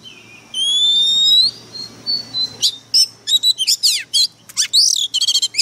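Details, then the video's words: Oriental magpie-robin lure bird singing intensely: a long rising whistle, quiet soft notes, then a fast volley of loud, sharp, varied chirps and trills. "Chòe than mồi căng lửa bắn giọng cực gắt"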